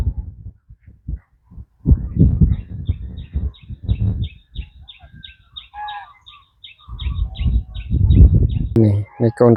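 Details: Domestic goose goslings led along the waterside with the flock, giving a steady string of thin, high, falling peeps, about one to two per second, while a man talks and handling noises sound throughout.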